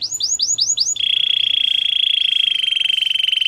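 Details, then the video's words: Gloster canary song opening with five quick arched swooping notes, then a long, even, rapid buzzy trill held at one pitch. "Gloster canary singing"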